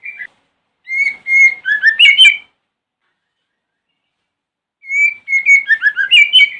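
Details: White-rumped shama lure song recorded in the morning to provoke other shamas to answer: two bursts of clear whistled notes near one pitch, then rapid rising and falling twisting phrases, separated by a few seconds of silence.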